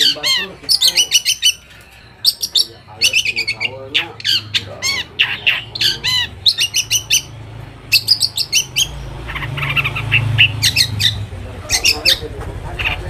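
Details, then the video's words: Long-tailed shrike song used as a lure to provoke other shrikes into answering: harsh, scratchy squawks and chattering notes in short repeated bursts about every second, over a low steady hum that grows louder toward the end. "PANCINGAN AMPUH BURUNG CENDET AGAR CEPAT GACOR - cendet manapun langsung nyaut dan emosi"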